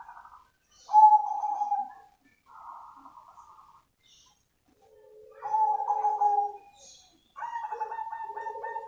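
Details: Cemani zebra dove in full, active song, recorded live: a series of cooing phrases, each a clear mid-pitched note followed by a rapid burred, stuttering trill, some phrases with a lower hum underneath, separated by brief pauses.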